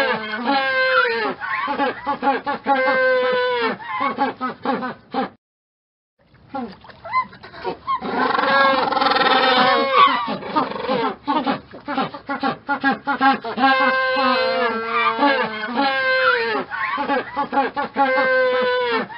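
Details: Penguins calling: loud, harsh, braying notes rich in harmonics, pouring out almost continuously in rapid overlapping series, broken by one brief silent gap, with a faint splashing background.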